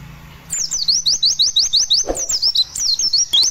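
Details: White-eye lure song to coax a pet bird to sing, 'roll tembak' style; after a quiet start, a quick repeated series of high upward-sweeping whistles, about three per second, with one soft low thump.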